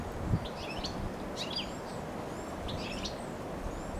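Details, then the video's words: European goldfinch (Carduelis carduelis), recorded 23 March 2020, gives three short bursts of bright, tinkling, liquid twitters about every second and a half, over steady low rumbling background noise. "Tikli ääni (Carduelis carduelis )"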